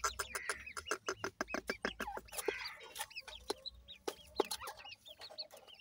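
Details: Young grey francolin (teetar) chicks give a steady stream of clipped, squeaky chirps with some upslurred notes, a faint hum underneath.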